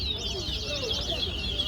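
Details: Short burst of towa-towa (chestnut-bellied seed finch) contest singing at Guyana National Stadium, a stream of bright slurred high whistles and rapid twitters, accompanied by low background hum and counting voices.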